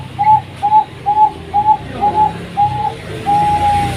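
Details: Zebra dove of Bangkok stock, kept caged at a Pasuruan bird farm, gives quick soft whistled coos, seven brief notes evenly spaced, then a longer sustained final tone; faint low rumble underneath.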